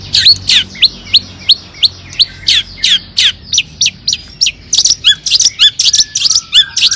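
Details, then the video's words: Long-tailed shrike "toet toet" lure song for making other shrikes sing: a fast, steady series of hooked, downslurred high notes, about three per second, growing denser and harsher at the end. "cendet gacor AMPUH TOET TOET PANCINGAN CENDET AGAR BUNYI"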